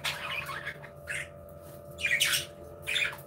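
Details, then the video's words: Budgerigars in an aviary, several birds chirping and playing; harsh broadband squawks and chatter bursts come at intervals, with a steady low hum beneath. "Happy Budgies Sounds"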